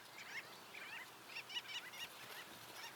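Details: Gull-billed terns resting on the shore at Manych, northern Stavropol, on the morning of 25 April 2024. Several birds chatter carefree in overlapping, rapid, raspy, nasal bursts about every half second.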